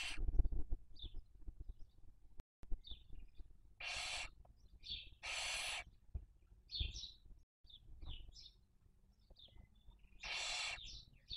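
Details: Barn owls on a nest in Cabañeros National Park, Spain, during the 2023 breeding season: three broad hissing screeches, each under a second, separated by scattered thin chittering squeaks and low thumps from the nest.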